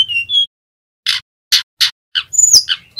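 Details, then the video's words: Sunda robin male learning the ngerol song, used to stimulate other birds: two short whistles, then three harsh buzzy notes, followed by a sweeping high whistle and rough chatter. "Tledekan Gunung Jantan Belajar Bunyi NGEROL"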